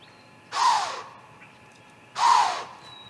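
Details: Great grey owl at its nest in Mission Valley, May 2, 2:55pm, with children playing nearby: two harsh, breathy hisses about a second and a half apart, each half a second long, fading downward, plus running sounds.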